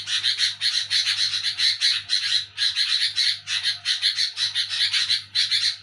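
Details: Loud nocturnal nyerecet chattering from a sooty-headed bulbul: rapid, grating, pulsing bursts with brief pauses between phrases. A steady faint electrical hum is also present.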